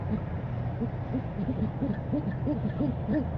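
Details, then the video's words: Owl, a female, calls for dinner on January 22, 2015, giving a quick run of short arched hoots that rise and fall, roughly three each second, above a constant low hum. "Mrs T calls for dinner"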